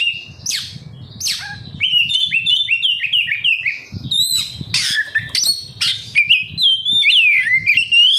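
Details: Oriental magpie-robin (kacer) song used to provoke captive birds into gacor singing: fast run of whistled slurred notes, sharp chips and harsh squeaky bursts, varied and continuous, with low thumping noise underneath.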